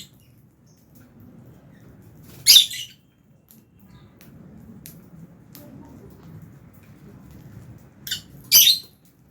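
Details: Fischer's lovebird in an aviary colony with albino lovebirds during feeding time. Two sharp, raspy, high-pitched chirps about six seconds apart, separated by soft rustling and a low indoor murmur.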